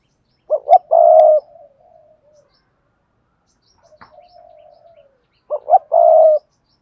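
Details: Spotted dove in the Cườm Sa song style, hạp bổi voice: two loud phrases about five seconds apart, each two quick notes and a long rich coo, with soft murmured cooing and a sharp click between.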